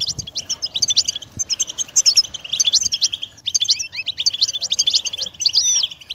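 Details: Song of a European goldfinch, used to encourage a pet bird to sing and move: rapid liquid twittering with bright high chirps and slurred notes in long phrases.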